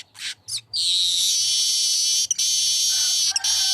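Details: Streaked weaver (manyar kembang), lively singing: two short sharp chirps, then a long, loud, buzzy sizzling hiss held for about three seconds, broken by two brief clicks, with a faint low hum underneath.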